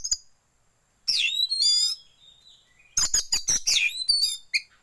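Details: Oriental magpie-robin song used as a lure to train birds to open their tails: loud bursts of varied high whistles and sharp chirps separated by short pauses, with a faint quieter phrase between them.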